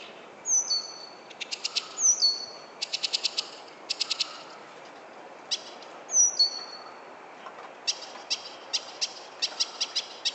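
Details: Back-yard bird at sunset in San Francisco, 31 July 2014: paired down-slurred whistles alternate with rapid buzzy rattles, repeating in bursts, followed by a run of short sharp clicks and brief trills.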